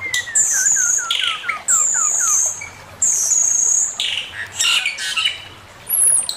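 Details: Male Chinese hwamei master song: a series of rapid, downward-slurred whistled notes repeated in a row, interleaved with long high shrill whistles and rougher bursts.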